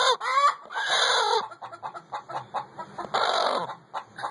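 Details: Laying chicken gives a strained, raspy drawn-out squawk, a string of quick soft clucks, then another long hoarse cry and a closing cluck.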